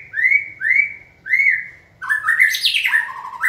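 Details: White-rumped shama being trained and stimulated to sing: three clear rising whistles about half a second apart, then a burst of fast, varied, chattering and swooping notes.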